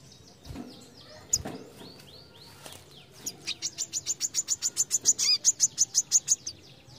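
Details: Brown-throated sunbird in fast besetan song: soft chattering and a sharp click, then a long, even trill of very high, piercing notes, about four per second, lasting over three seconds.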